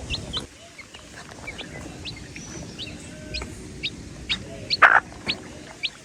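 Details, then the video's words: Several baby chicks give short, high, piercing peeps, overlapping in quick succession, as they communicate with one another, over a soft low background rumble. "The Chicks Peep Sound"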